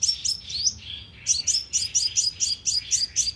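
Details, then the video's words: Sunbird lure call broadcast from a loudspeaker to entice birds: a few slurred high notes, then a steady run of sharp chirps, roughly four per second. "TIẾNG CHIM 🐤HÚT MẬT MỒI CỰC SUNG DÙNG BẪY LOA 📣KÍCH CHIM"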